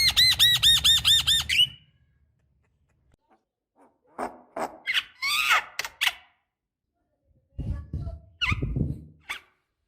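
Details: Female Javan myna calling to a male, played as a lure: a rapid series of arched, nasal, harmonic notes, then a pause followed by rough, scratchy squawks and chattering notes in uneven clusters.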